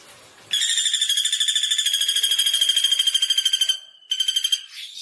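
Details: A common flameback bursts into a quick, steady, high-pitched rattle of many sharp notes for about three seconds, pauses briefly, then repeats a shorter burst.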